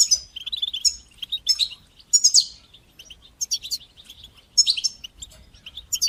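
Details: European goldfinch song in batbata and satsata styles, used to encourage young goldfinches to sing; crisp high whistled notes mixed with buzzy twittered trills, delivered in separate bursts roughly every second or two.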